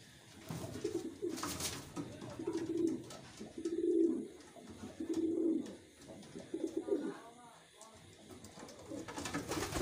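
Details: Kept wild pigeons coo in deep, rolling phrases about every two seconds, several birds overlapping, with a sharp clatter early on.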